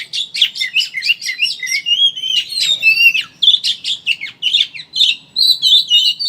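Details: Oriental magpie-robin ngeriwik chatter, a lure meant to get other birds singing openly: dense bursts of scratchy chirps and twittering trills alternating with brief clear whistled phrases, continuous and lively throughout.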